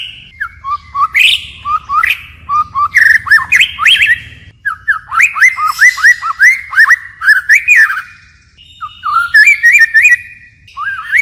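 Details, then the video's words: Forest-voice song of a white-rumped shama, shifting patterns continuously: bursts of bright, fluty upslurred whistles and sharp chips in rapid clusters, broken by brief pauses. "Chích chòe lửa hót giọng rừng hay đảo giọng liên tục"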